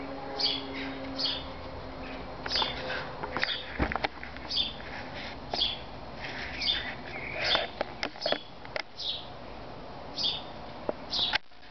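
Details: Great tit (Parus major) calls at a backyard birdhouse in Veghel, the Netherlands, during feeding time as birds fly in and out of the nest box: dense, high, short chirps in quick irregular bursts, with clicks and knocks throughout.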